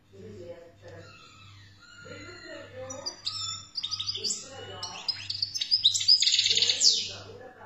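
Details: An Algerian wild goldfinch starts with scattered thin whistles, then builds into a rapid, liquid, twittering song with buzzy trills, over a rhythmic low hum and soft background talk.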